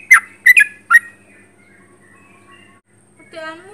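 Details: Sooty-headed bulbul singing actively at close range: three quick, bright whistled notes in the first second, then near silence, ending with a brief harmonic nasal sound.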